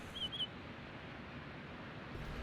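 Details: A pine grosbeak calling from a treetop near an old minefield observation bunker on the southern Maine coast in winter, at low tide, gives two quick, clear, slightly falling whistled notes over a steady rush of wind or surf.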